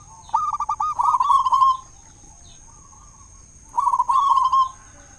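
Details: Loud local zebra dove singing to make other doves call; two bursts of rapid, rippling coos separated by a quiet gap with a faint coo.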